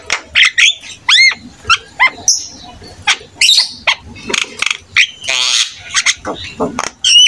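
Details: Javan myna (jalak kebo), an actively singing bird used to prompt other starlings to sing, gives a rapid medley of rising whistles, upswept hooked notes and harsh rasping bursts, with short gaps between phrases.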